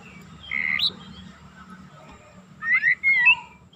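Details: Oriental magpie-robin in full song, used as a lure to stir another bird's temper, giving two loud whistled phrases around a second apart, each rising sharply at the end, over a steady low hum.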